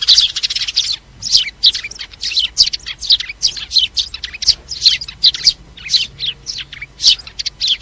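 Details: Sparrows calling the flock, used for trapping: a steady series of separate sharp chirps, roughly three per second, some double, bright and high, over a quiet background.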